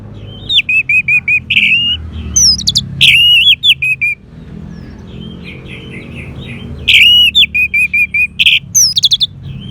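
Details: Orange-headed thrush singing to spur another bird. Rapid series of short whistled notes in two bursts, mixed with sliding whistles and brief harsh rasps. A low hum runs underneath.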